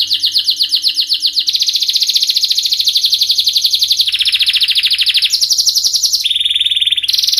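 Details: Male canary in full excited song, a continuous loud rattling trill that shifts pitch several times, dropping lower, then jumping higher, with fast even pulses throughout and no pauses.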